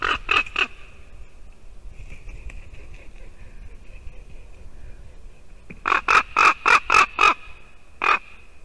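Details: Raven calling beside a Latvian white-tailed eagle nest where the female eagle sits, morning of 2 December 2019; two loud harsh notes open, a quiet stretch follows, then a burst of six rapid knocking croaks and one last call.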